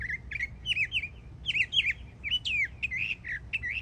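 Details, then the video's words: Young Northern mockingbird in Florida singing a rapid run of whistled, slurred notes, each syllable repeated two or three times before switching, including a sharp downward-swept note. "Yearling Florida Mockingbird Goes Hard 🎶💯 Beautiful Songs"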